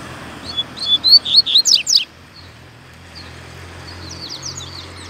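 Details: Rusty-collared seedeater singing strongly, loose in a town square in Brazil: a quick burst of high, sharp, slurred whistled notes for about 1.5 seconds, then a fainter twittering phrase, with low traffic hum underneath.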